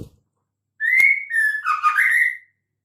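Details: Female white-rumped shama giving a sound meant to make males sing: one long run of slurred whistles, rising, then a lower wavering section that climbs back up.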